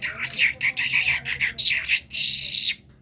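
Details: A Kerman talking myna runs through a rapid string of chirpy, chattering notes, then ends with a sustained harsh rasping hiss lasting about a second.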